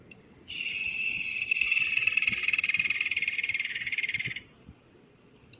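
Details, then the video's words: West Indian woodpecker, a Caribbean endemic, gives its unique, distinct call: a rapid, rolling, buzzy churr held steady for about four seconds at a fairly high pitch, against a faint low background hum. "So if you are on those islands and you do hear that very unique and distinct call, chances are there's a West Indian woodpecker in your area."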